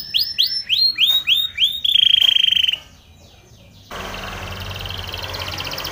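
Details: Spanish Timbrado canary training song: a run of rising, rolling high notes that merge into a steady buzzy trill, then silence, followed by a broad hiss of background noise.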